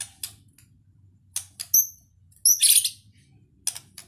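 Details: White-rumped shama (murai batu) in 'gacor full isian' style: scattered brief buzzy bursts and two sharp, very high whistled notes, separated by quiet pauses over a faint low hum.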